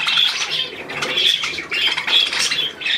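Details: Captive budgerigars, 12 July 2022: short bursts of high, rasping squawks and chirps arrive in clusters about every second, with brief quieter gaps between them.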